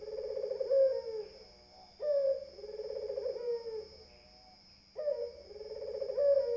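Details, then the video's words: Cooing of a puter dove, three deep purring coos, each opening with a sharp rising note and sliding into a long rolling low tone, about every two and a half seconds. A steady high electronic whine runs beneath. "SUARA PUTER"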